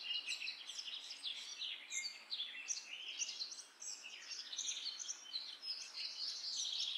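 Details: Common myna chattering continuously, a dense jumble of short squeaky and scratchy notes overlapping one another throughout, like a noisy group of calling birds.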